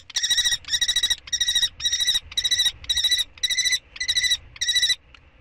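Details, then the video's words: Common kestrel at the second and third prey transfers on 2 May 2013, giving loud, harsh, trilled whining calls with rich overtones, eight bursts in about five seconds, evenly spaced. "Torenvalk: 2e en 3e Prooioverdracht"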